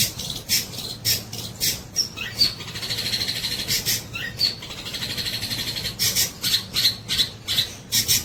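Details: Long-tailed shrike in active song, imitating the tengkek buto kingfisher: harsh clipped notes alternate with stretches of buzzy, rapid high trilling and thin squeaky whistles, over a faint low hum.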